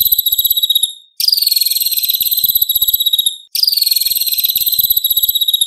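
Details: White-rumped shama (murai batu) in full-fill competition material: long, rapid, insect-like buzzy trills, each starting loud and sustained for over two seconds, with a brief gap between them.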